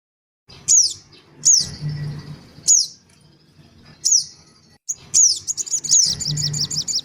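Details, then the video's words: Black-winged cuckooshrike lure recording of noisy male and female birds and young, used to attract birds: sharp, high whistled notes sliding down, given singly about every second, then a fast run of repeated down-slurred notes at the end. "suara pikat sogon ribut. dan anak sogon"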